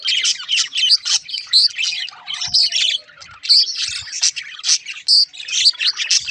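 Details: Budgies singing, including a rare-mutation halfsider parakeet: quick bursts of twittering chirps roughly once a second, sprinkled with bright whistled pips and a soft descending whine in the middle.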